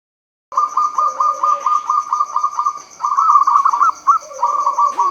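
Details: Local Javanese zebra doves, perkutut, used as a lure song to start silent birds singing; a fast run of clipped, cooing notes with a quieter lower-pitched dove answering beneath, plus a steady high electrical whine.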